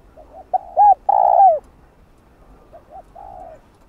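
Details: Spotted dove coos from a Vietnamese lure for trapping wild doves: a short soft note, two sharp coos and a long drawn, downward-curving croo, echoed by a fainter phrase of the same shape.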